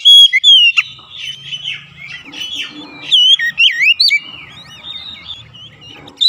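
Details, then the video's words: Oriental magpie-robin song used as a lure to stimulate caged birds: rich, varied whistled phrases with sliding, looping notes and sharp upslurs, delivered in loud bursts with brief pauses and a faint low hum beneath. "pancingan Kacer"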